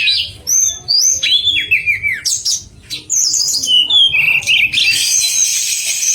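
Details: Pied fantail singing sweetly for contest-bird training; a string of whistled slurs stepping downward, a brief pause, then bright whistles and a dense high twittering passage.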